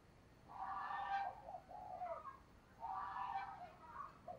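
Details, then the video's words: Female dove calling to attract males: two low, hoarse cooing phrases, each a run of several linked notes rising and falling, separated by about a second of quiet, over faint background hiss. "Tiếng Chim Cu Mái Kích Trống"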